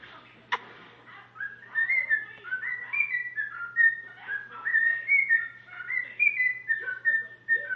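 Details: A cockatiel sings tunes including the Addams Family theme and "If You're Happy and You Know It" to a new budgie companion: a run of clear, warbling whistles sliding up and down in short connected phrases.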